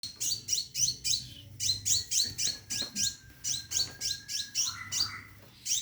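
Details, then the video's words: Caged Scarlet minivet calling to a female to mate: a fast run of high, bright chirps, about four per second, each dropping in pitch in two steps, with a faint low hum and one thin steady whistle beneath. "Burung Seppah Raja Gacor Di Dalam Sangkar panggil betin kawin"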